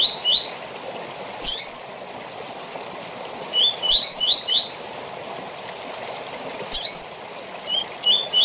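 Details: Rusty-collared seedeater short song for tournament practice: quick series of rising whistled notes, interrupted by abrupt high chips, repeated in bursts over a rushing, stream-like hiss.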